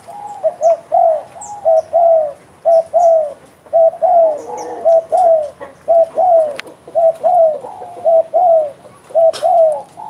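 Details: Spotted dove (derkuku) cooing eagerly in the bekur style: low, mellow notes that dip at the end, grouped in twos and threes and repeated regularly for ten seconds. Faint high chirps and a sharp click sound in the background.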